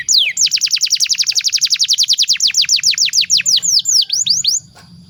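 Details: Canary singing a long master song used to train young birds: a fast rolling trill of steeply falling notes that slows into wider, separate downward sweeps before stopping.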